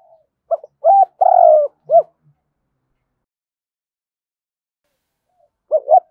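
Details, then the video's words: Decoy-style 'thúc gù' cooing of a spotted dove, meant to stir wild doves: a mellow phrase of quick hoots, one long rough coo and a curved closing note, then silence and the start of another phrase. "Chim cu gáy Cườm Sa thúc gù gáy gọi đủ bài. chim cu gáy kích bổi nhanh nổi"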